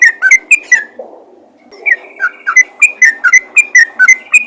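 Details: Yellow-vented bulbul calling to other bulbuls: four quick whistled notes, a pause of under a second with faint low murmuring, then a steady string of clear, bouncing whistles at roughly four per second.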